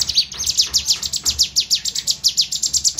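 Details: Ciblek gunung, a Sunda warbler, practising fight song: an unbroken run of high, sharp downslurred chirps delivered about six per second, evenly paced throughout, with a soft low background hum.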